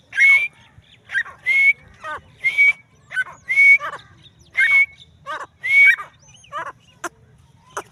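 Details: Female teetar, the grey francolin, repeating loud raspy bursts roughly every second, each with a short whistled tone. Softer scratchy notes follow toward the end, over low background noise.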